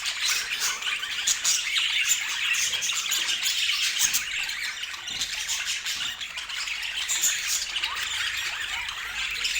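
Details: Lively budgerigar chatter with rapid, irregular chirps and squeaky warbled notes from many birds overlapping, dense and unbroken.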